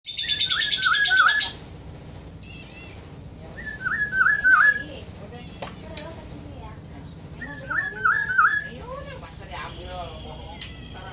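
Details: Black-throated oriole calling: a short, fluting, whistled phrase of a few mellow notes, given three times several seconds apart, with a burst of high chatter at the start and faint other bird notes.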